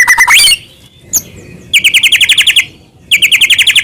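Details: White-rumped shama of the Medan type, song full of filler phrases, played so other shamas answer. A rising whistle is followed by two fast, even trills of sharp notes, about six per second, with quiet gaps between.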